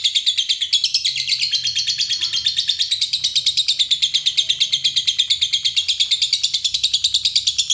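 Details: Euwing lovebird delivering its ngekek, a long non-stop chattering trill of high, harsh, rapidly repeated notes, about three per second, running without a break for nearly eight seconds.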